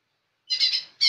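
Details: Young lesser green leafbird in full song, giving two harsh, squawky high bursts separated by a short gap.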